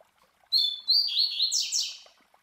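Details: Master Double-collared Seedeater (Coleiro), a captive bird, gives the classic Tui Tui Zel Zel song for tutoring youngsters: two clear high whistles, a run of falling slurred notes, then two sharp downward-sweeping buzzes.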